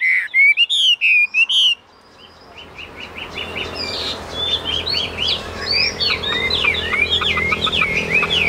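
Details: Tame caged Chinese hwamei. Several loud, looping whistled notes come in quick succession, then stop, followed by fainter chattering and whistled notes over background noise.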